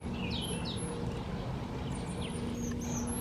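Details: Southern black flycatchers in a garden give thin, high whistles, some rising and some falling, in two short bursts. A steady low rumble of background noise runs throughout.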